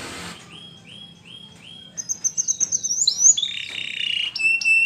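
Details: Training song of a canary: four soft, evenly spaced rising whistles open, then a louder series of bright clipped notes, a twisting warbled phrase, and steady sustained whistled tones at the end.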